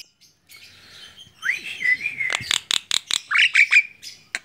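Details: Javan myna, tame and held on the hand, giving a drawn-out buzzy whistle that slides up and levels off, followed by clicking chatter and a couple of loud squeaky notes.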